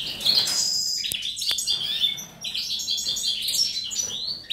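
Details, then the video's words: Goldfinch song of fast, tinkling twitters and buzzy high notes, delivered in continuous phrases with a couple of sharp clicks near the start. "Perle morbide 19.05.'18 , Goldfinch,Stiglic,Grdelin, Stieglitz, Chardonneret , El jilguero,bird"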